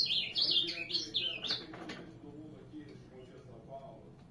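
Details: Ultramarine grosbeak song opening at once with a quick, loud run of high, sweet warbled notes lasting under two seconds, then fading into soft low background murmur.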